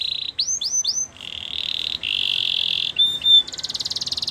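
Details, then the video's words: Canary singing: a buzzy trill, three rising-falling whistles, then a long steady rolled trill, a brief pure whistle and a quick pulsed high roll at the end. "Canary bird sounds | Your canary will sing a lot"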